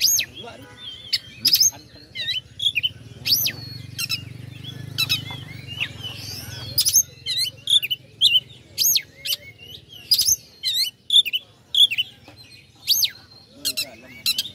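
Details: Oriental magpie-robin lure song intended to anger rival birds: repeated sharp whistled upsweeps and quick chips in steady clusters, with a low hum in the first half.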